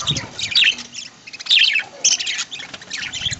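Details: Budgerigars in an aviary, fed a corn diet in green leaves in the early morning, giving bursts of high, scratchy chirping and squawky chatter that rise and fall in short clusters.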